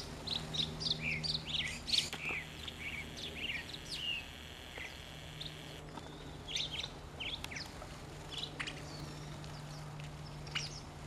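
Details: Mockingbird singing in the morning while sparrows, Inca doves, a stray cat and a parakeet feed nearby; quick bursts of varied high chirped phrases, several repeated back to back, then sparser scattered notes over a steady low hum.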